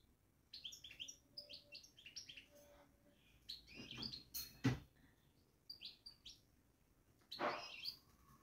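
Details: Caged European goldfinch babbling with irregular bouts of high, tinkling chirps and short trills, mixed with a couple of loud knocks and rustling thumps.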